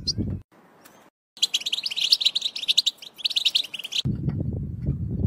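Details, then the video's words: Male European goldfinches, bitbita song used to ready males for breeding: brief low noise and a pause, then a burst of fast, bright twittering chirps for under three seconds before low rumbling background returns. "بتبتة تجهيز ذكور الحسون"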